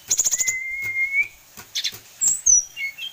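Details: Tame sulingan gunung in captivity, known for many song variations, opens with a rapid burst of high pulsed notes, then a long slowly rising thin whistle, followed by scattered high squeaky notes and short slurs.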